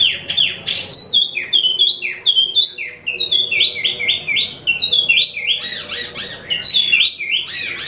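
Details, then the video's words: Imported Wambi mini (Tieu Mi) in full song: rapid, busy chatter of high whistled and squeaky notes, many swooping downward, delivered almost without pause and growing denser near the end. "Wambi Mini Asli Impor/Tieu Mi Gacor 12 Menit Non Stop"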